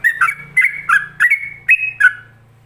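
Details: Yellow-vented bulbul song in ropelan style, used to train other bulbuls: a handful of quick whistled two-part notes, high then lower, over a low steady hum, ending in a drawn-out slurred whistle.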